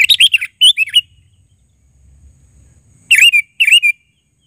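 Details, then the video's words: Lively sooty-headed bulbul giving loud, bubbly phrases of rolling, slightly wavering whistled notes: two bursts at the start and two more after a quiet pause. "Suara Burung KUTILANG GACOR Panggilan Suara Asli"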